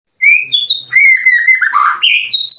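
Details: White-rumped shama song used as a lure to prompt caged birds to respond: clear whistled notes, a high rising whistle, then a long steady whistle and a rough burst before stepped rising phrases.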